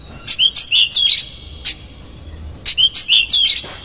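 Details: Lure song of an Oriental magpie-robin meant to anger a rival: two bursts of rapid, slurred high whistles and chirps, separated by a brief pause with a lone sharp click.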